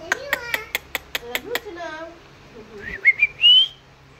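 An Alexandrine parakeet talks in a quick run of clipped, speech-like syllables, then gives a few sharp, high whistles that rise at the end.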